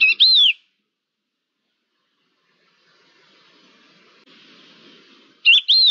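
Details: Thekla's lark, recorded 5 February 2022, giving brief whistled phrases at the start and end with a falling slur. Faint background hiss fills the pause between them.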